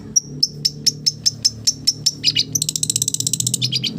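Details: Long-tailed shrike mimicking village birds: a steady series of high, piping notes about four per second, then an abrupt switch to harsh, rapid chatter.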